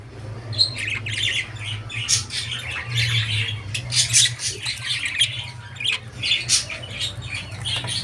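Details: Indoor budgerigar giving a continuous run of squawky, buzzy chirps and warbles, closely spaced and uneven, over a faint low hum.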